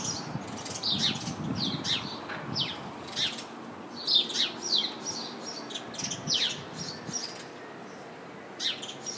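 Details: House sparrows sitting and chirping in a bush full of them: loud, separate cheeps and squeaky tweets from several birds, in irregular clusters with brief gaps, over quiet background hiss.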